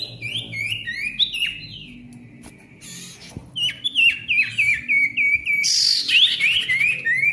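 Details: Loud, busy song of an Ashy tailorbird, used to prompt birds that have stopped singing: repeated downward-slurred whistles in fast runs, a short quieter gap, then a rapid series of zigzag whistles.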